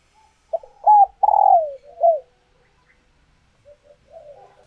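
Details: Captive female spotted dove in peak egg-laying condition, calling to stir males into cooing and pairing; two short clipped notes, then a long throaty rolling coo that slides downward, a bent final note, and faint soft coos afterward in a quiet room.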